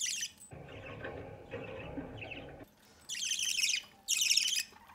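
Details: At a budgerigar nest entrance where parents feed a chick, a rasping begging burst opens. A low rumbling, rustling noise follows, then two loud, buzzy begging bursts close the recording.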